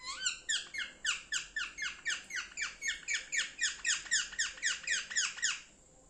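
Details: Pet Indian parrot chirping in a small room: a fast, regular run of about twenty loud, squeaky, rising-then-falling chirps, roughly four per second, stopping abruptly near the end.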